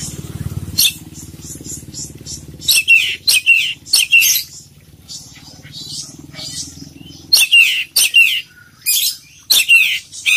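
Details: Oriental magpie-robin (kacer poci) in full filler singing: harsh, buzzy, scratchy bursts in short phrases separated by pauses, over a low droning hum during the first seven seconds.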